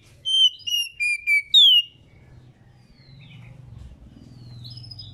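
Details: Female Oriental magpie-robin, used to prompt males to sing: five clear whistled notes in quick succession, ending on a sharply slurred upward-swooping whistle, followed by faint distant chirps over a low background hum.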